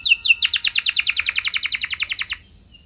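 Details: Canary singing in full voice, used to spur other canaries into long song: a few high slurred notes, then a fast run of about twenty repeated downward-sweeping whistles, about eight per second, before it stops abruptly.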